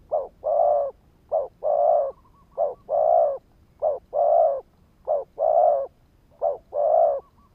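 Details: Spotted dove decoy cooing to provoke wild doves: six evenly spaced phrases, each a short sharp note and a longer full hollow coo, repeated roughly every 1.3 seconds, loud and regular against a quiet background.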